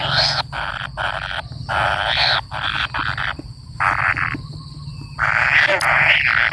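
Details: Waiting for its parent, a kingfisher chick makes long, coarse, buzzy begging rasps separated by short pauses, growing louder near the end, while a steady high insect tone continues behind.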